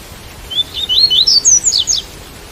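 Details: In rain, a white-collared seedeater delivers one fast bright phrase of about ten whistled notes, rising in pitch and closing with rapid high downward slurs, over a low steady hiss.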